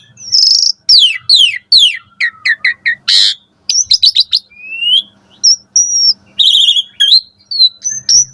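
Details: Asian pied starling in lively morning song, meant to coax caged starlings into singing. Several quick descending buzzy sweeps, then short chirps, a harsh burst and clear flat whistles near the end, with a faint low hum behind.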